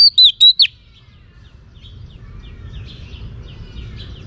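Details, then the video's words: A brief phrase from a female oriental magpie-robin meant to rouse males: four sharp, bent whistled notes in quick succession, followed by faint distant chirps and low hum. "Choè than mái kích trống hay nhất"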